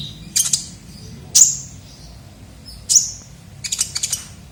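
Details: Kolibri ninja sunbird, lure sound for attracting birds: a few separate sharp, very high chirps spaced about a second and a half apart, ending with a quick cluster of ticks.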